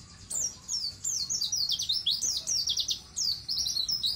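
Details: Vigorously singing pleci, or white-eye, used for teaching young birds to sing: fast, high, continuous twitter of sliding chirps in quick bursts, with brief gaps between phrases.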